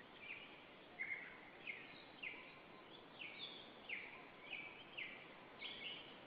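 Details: Black stork calling: a steady run of short, squealing, slightly wheezy notes, about ten in six seconds, each dropping a little in pitch. Constant broadband hiss sits underneath.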